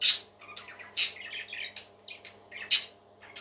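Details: Short stretch of pet parakeet song: three loud shrill squawks spaced about a second apart, filled between with soft chattering warble.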